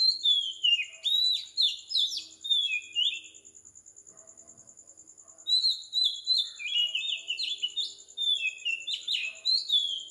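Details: Morning song of an Oriental magpie-robin recorded at 4 am on a tropical island in Sri Lanka, rich whistled notes swooping and falling in quick bursts, a quiet break midway, constant high insect pulsing behind.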